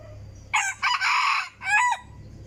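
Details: Decoy chicken crowing loudly in three harsh, rasping bursts, a short opening note, a longer held middle section and a brief falling end, over a low steady engine-like hum.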